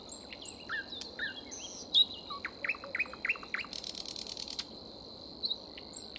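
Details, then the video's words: Common nightingale singing in spring: varied phrases of sharp downslurred whistles and chips, then a fast rattling trill, over a steady high insect-like hum. "The singing of the Nightingale"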